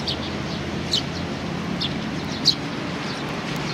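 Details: Eurasian tree sparrows on a bench, coming to be fed, recorded 3 June 2020: short high chirps scattered every second or so over a steady low hum of road traffic.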